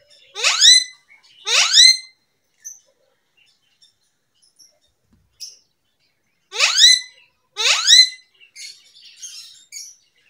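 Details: Pet parrot making different sounds: two pairs of loud harsh rising screeches with stacked harmonics, separated by quiet gaps with faint soft clicks and chirps.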